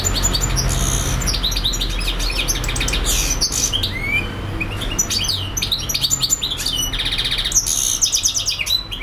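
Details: Nonstop European goldfinch song, a hurried jumble of high twittering notes, buzzy trills and clipped chirps with an occasional rising slurred whistle, against a low steady hum.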